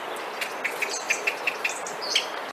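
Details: A Common Blackbird gives an alarm or alert call, mellower than a song thrush's: a quick series of six short, clipped notes, about five per second, with a few higher squeaky notes near the end over a steady hiss.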